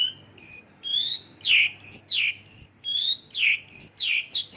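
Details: Mongolian lark giving isian lokalan, its song filled with local bird phrases: alternating level whistles and strong downward-slurred notes, repeated about twice a second.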